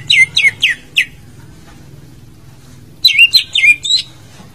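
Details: Greater green leafbird singing, played as a lure to get a silent bird to sing: four sharp falling whistles, nearly two seconds of quiet hum, then a looping phrase of rising and dipping notes.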